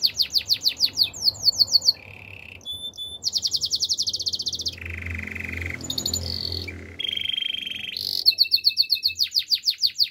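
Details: Canary training song with changing tours: fast high rattling trills, a lower buzzy roll, a pause, more bright trills and deep rolling phrases, ending in loud rapid chopped notes.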